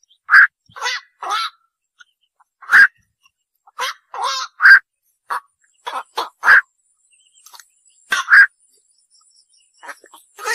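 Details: Black-crowned night heron giving harsh, hoarse croaking calls, short single or paired squawks spaced irregularly about a second apart, with no other clear sounds.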